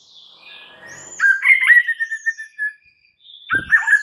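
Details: White-rumped shama lure song to make other shamas call back: a drawn-out high whistle, then a sequence of warbled notes wavering around one pitch, a pause, and another warbled phrase with a rough low thump.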